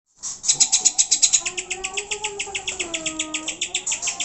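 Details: Greater green leafbird song used as a lure to provoke pet birds into singing: rapid high bright chips repeated about four times a second, over soft lower sliding whistles.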